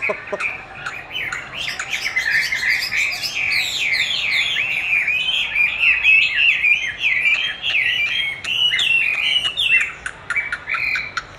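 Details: Chinese hwamei being trained with playback of its own song, which it keenly duels against; a continuous rich stream of varied whistled and slurred phrases, fast and changing, over a steady low background hum.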